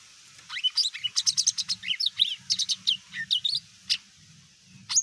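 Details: Greater green leafbird singing to provoke other birds into responding: a lively run of sharp, ringing chirps and slurred whistles, some rising and some falling, delivered in fast bursts with brief pauses. A faint low hum sits beneath.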